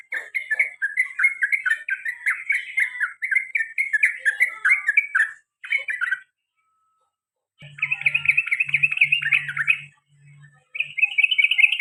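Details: Repeated long trills, the ropel panjang and garuda styles, from a sooty-headed bulbul. Clusters of quick warbling notes give way to a silent gap, then return as dense buzzy trills over a low humming tone.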